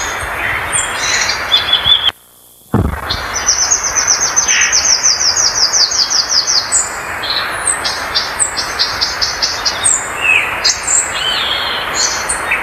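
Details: ['Violaceous euphonia song: rapid runs of thin, high buzzy notes repeated in quick series, mixed with scattered sharp high whistles and short chips, broken by a brief silent gap near the start.']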